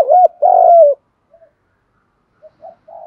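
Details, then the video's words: Decoy spotted dove, used to rouse wild doves into fighting, ends a coo phrase with a loud sustained falling note, followed by near silence and a few faint soft murmurs. "chim cu gáy Mồi bài bản giúp bổi nhanh nổi/ cu gáy kích bổi"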